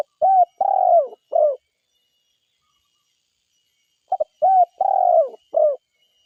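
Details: Spotted dove from forest, cooing twice: each phrase a quick run of three to four husky, mid-pitched notes, a longer sliding coo among them, the two phrases about three seconds apart against a silent background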